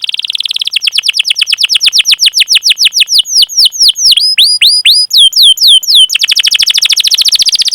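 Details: Canary song meant as training audio to coax other canaries into singing: rapid repeated notes give way to sweeping downward slurred whistles, then a fast even rolling trill.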